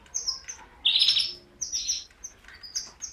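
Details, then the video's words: Canary producing short high chirps and one louder buzzy trilled burst, separated by brief silences. "غناء الكناري|Canary singing|Canarias cantando|Kanarie sjunger|Kanarya şarkı söyleme"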